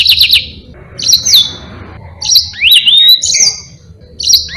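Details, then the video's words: Yellow-fronted canary in full song, used as a master bird for teaching other birds: quick chips followed by clear whistled notes sliding up and down, with a long rising slur and short pauses. "Burung Mozambique GACOR NGEROL PANJANG"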